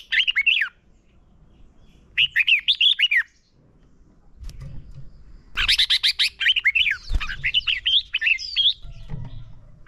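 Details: Caged red-whiskered bulbul singing as a lure bird for training other birds: bursts of bright warbled notes, quick up-and-down whistles, in phrases of about a second separated by pauses, with a longer rich run later and faint low rumbling between.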